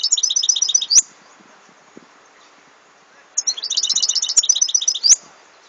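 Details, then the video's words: European goldfinch song recorded in 2014: two bursts of rapid, high twittering notes with tinkling trills, each about a second long, separated by a quiet pause. "Chant de chardonneret"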